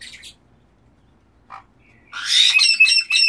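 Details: Black-headed caiques giving harsh, raspy squawks: a brief burst at the start, a short faint note mid-clip, then a loud, buzzy run of rapid harmonic-rich notes over the last second.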